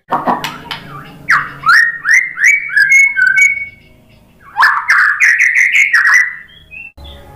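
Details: White-rumped shama, a bird kept for song and played to provoke other birds into answering; varied bright whistled phrases around two kilohertz, rising and falling notes in quick series with sharp clicks, repeated in two bursts separated by a short pause.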